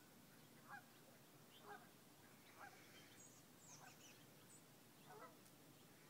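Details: Geese flying over a misty, frosty marsh at Crab Meadow at Sunday sunrise, 11-4-2011. Distant honks repeat about once a second, somewhat unevenly, against broad background noise.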